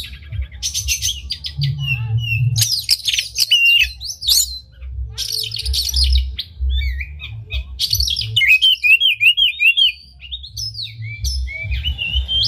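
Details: Energetic oriental magpie-robin, tail spread, pouring out a unique song meant to rouse other magpie-robins: long varied medley of buzzy trills, clicks and sweeping whistles, later a rapid run of repeated slurred notes, with a low hum underneath.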